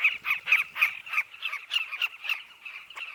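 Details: Southern carmine bee-eaters at a riverbank nesting colony, one nearby bird giving loud, rough chirps about three to four times a second over a softer constant chorus of the colony.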